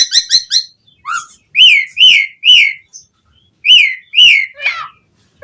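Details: Asian pied starling song played to stimulate captive birds to sing: loud whistled notes with sharp arching harmonics, quick rapid-fire triplets at the start, then slurred whistles repeated about every half second, with a short low rising note.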